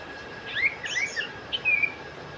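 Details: Sooty-headed bulbul singing a quick run of clear whistled, slurred notes rising and falling, ending in a longer drawn-out descending whistle, with steady background hiss.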